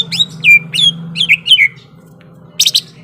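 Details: Greater green leafbird in fighting mood giving a string of bright downslurred whistles, about three per second, then a pause and a quick cluster of sharp chirps, with a low hum behind.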